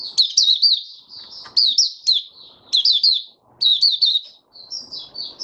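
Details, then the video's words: Open singing, or buka sing, from a white-eye (mata puteh): repeated loud chattering phrases of quick downslurred chirps, about one per second, then softer, higher drawn-out whistled notes toward the end. "Mata Puteh Raja Stablizing his form buka sing 08012022"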